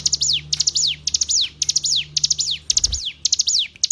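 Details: Training recording of hill prinia song for captive songbirds. A continuous series of high phrases, each a quick burst of sharp notes ending in a downward glide, about two per second, with a faint low thump midway.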